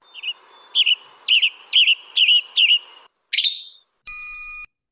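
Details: Western Tanager song with a slurry, burry quality: a string of short, hoarse, robin-like phrases repeated about twice a second, followed by one separate note and then a steady electronic beep.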